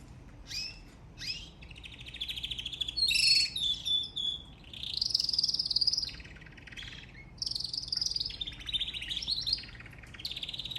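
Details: Canary singing: a continuous run of varied phrases, with fast trills, buzzy rattles and sweet whistled rolls, switching phrase type every second or two, mostly high-pitched.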